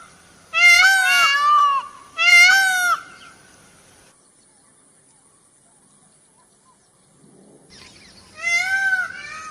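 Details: Two loud, harsh, ringing peacock screams in quick succession, a long quiet pause, then a third scream at the end.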